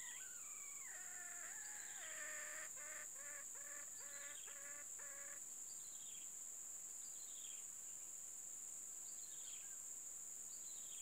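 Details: Female red junglefowl used as a decoy for trapping, with flooded ground in the trapping yard. Harmonic calls step downward in pitch, then a quick run of repeated clucks. Insects shrill steadily, and faint chirps from other birds follow.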